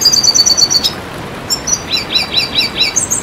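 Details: Red siskin song: an even row of thin high notes, a short pause, then brief whistles leading into a run of doubled downslurred twitters and a final high flourish.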